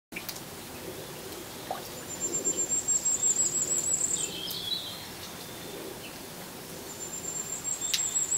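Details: Firecrest singing in the rain: high thin accelerating trills near the top of the range, two phrases about four seconds apart, with lower faint notes between and steady rain hiss throughout.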